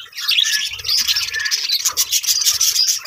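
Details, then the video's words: Budgerigar breeding colony, high twittering and chirping from many birds at once, a steady bright chorus with faint low thumps underneath. "budgies parrot colony setup"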